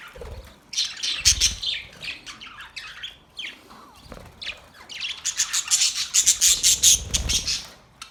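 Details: Australian parrots chirping in fast bursts of high, harsh squawks and chatter that rise and fall, with a busier stretch of repeated sharp notes near the end and a few low thumps.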